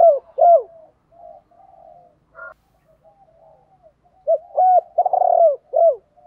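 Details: Spotted doves, cock and hen, calling to provoke trained doves: two falling coos, quiet murmuring and a brief higher note, then a loud phrase of clipped notes, a long rolling coo and a final downward coo.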